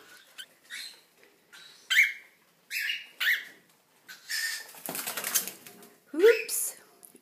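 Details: Cockatiel chicks, 6–7 weeks old with clipped wings, still begging for food, give harsh, raspy begging rasps in short bursts, some strung into a longer scratchy run, while a person talks softly nearby at breakfast time.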